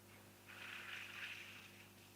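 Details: African grey hornbill calling at an African waterhole as oryx come in to drink. It gives a high, thin, raptor-like call, often mistaken for an eagle's, lasting about a second and a half, over a steady low hum.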